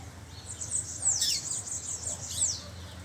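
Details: Rusty-collared seedeater singing wild in the bush, with a flock nearby: a fast, high twittering warble of tumbling chirps and short down-slurred notes over steady background hiss.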